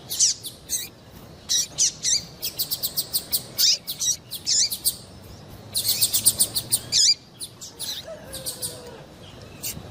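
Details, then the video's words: High-pitched calls of a female double-collared seedeater, meant to get a male singing: thin chirps and hooked, downward-swooping notes, then a dense run of rapid chirps near the middle before fading to scattered notes. "MELHOR PIADO DE FÊMEA PARA DEIXAR SEU PAPA-CAPIM DOIDO PARA CANTAR LOGO!"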